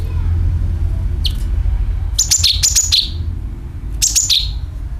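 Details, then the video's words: Sooty-headed bulbul calling as a lure for birds: one quick chirp, then two phrases of shrill notes sliding downward, over a continuous low engine-like hum. "CUCAK KINOI ||PANCINGAN PALING AMPUH TERBUKTI PASTI IKU BUNYI SUARA PANGILAN + NYERET"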